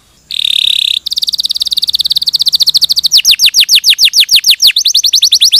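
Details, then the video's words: Master song of a canary for training other canaries: a brief harsh buzz, then a long fast level trill that slows into loud, repeated downward-sweeping whistles, about four each second. "Masteran Kenari 100% Suara Jernih"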